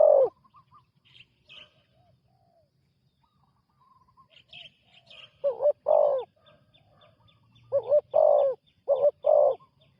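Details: New spotted dove decoy on its first ground training outing: quiet start with faint high chirps of other birds, then loud low paired coos repeated three times toward the end.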